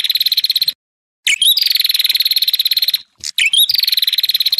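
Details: Ashy tailorbird song aimed at provoking rivals: long, dry, buzzy trills of fast pulses, each opened by a short rising chirp, broken by brief silent gaps.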